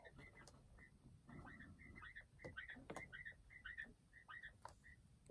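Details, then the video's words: Several pet quails chatter in short, high peeping chirps, roughly two a second and overlapping, over a low steady rumble, without human noises. "Wachteln ohne Menschliche Geräusche"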